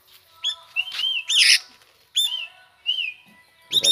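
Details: Tame sooty-headed bulbul, kept since it was small, giving short clear whistled notes around a steady pitch, a few separated phrases with brief pauses, plus harsher chirps between them.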